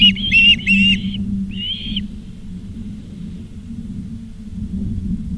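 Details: Osprey at a nest in Charlo, Montana, on 17 August 2023 at 16:04, live nest camera: three short, sharp whistled chirps, then a longer slurred note, followed by quiet over a steady low hum.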